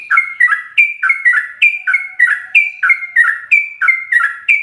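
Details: Sooty-headed bulbul singing in rapid ropel style with full fill-in phrases, used as master recording for training captive birds: bubbly two-part whistled phrases, a steady note then a lower warbled dip, repeated quickly and evenly, with a faint low hum beneath.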